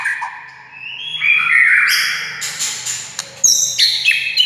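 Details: Short burst of white-rumped shama song meant to provoke other shamas: a low whistle swelling into a rich warbled phrase, ending in sharp high chips.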